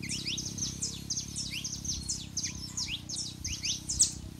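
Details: Male and female Saffron finches, a recording to warm up a quiet canary: quieter run of quick high chips and downslurred notes, steadily repeated, partly masked by a heavy low rumbling background.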